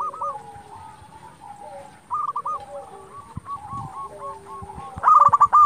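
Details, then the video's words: Local zebra doves singing to provoke rival doves and lure them; a quiet background of overlapping hooked coo series builds to a loud, rattling burst of rapid notes at the end. "Perkutut lokal gacor Sekali Putar Lawan Pasti Emosi Langsung Nyaut"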